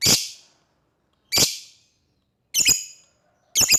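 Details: Lovebird calling out to an opponent with four loud raspy shrieks spaced about a second apart, the later ones split into double-pulsed notes.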